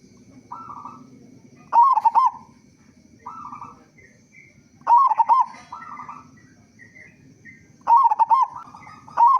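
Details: Local zebra dove singing with a loud, big voice, used as a lure to make other zebra doves sing quickly: rolling bubbly coos in short bursts about every three seconds, softer buzzy notes between, low background hum.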